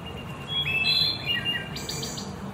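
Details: Wood thrush singing in Central Park, New York City: clear flute-like whistled notes stepping between pitches, ending in a high buzzy trill, over steady low background hum.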